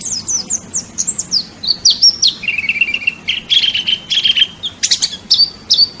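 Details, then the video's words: Kalimantan white-eye (pleci) song for training songbirds: clear high whistles and slurred notes, a short buzzy trill in the middle, then louder ringing chips and whistled phrases. "Masteran wajib pleci juara nasional"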